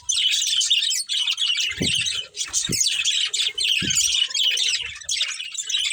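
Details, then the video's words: Steady high chattering and chirping from a budgerigar breeding pair, warbled phrases running on with only tiny breaks, plus a few short squeaky calls and light thumps. "Cute Budgies Chirping Sounds | Love Birds Breeding Pair"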